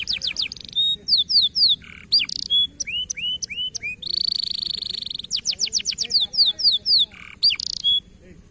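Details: Local canary delivering a lively varied song: fast descending trills, rising whistled slurs, buzzy rattling passages and bright high notes, with brief pauses between phrases.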